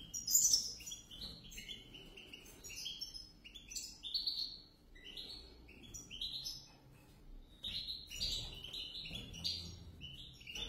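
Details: Bright twittering song from a pair of European goldfinches: quick chirps, short trills and sliding notes run together in a lively, varied stream, with a faint low hum beneath.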